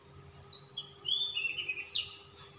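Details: Oriental magpie-robin of the calm type, singing persistently with a rich fill of varied phrases: high whistled slurs falling from about mid-high to lower notes, then a sharp bright note near the end, over a steady faint electronic hum.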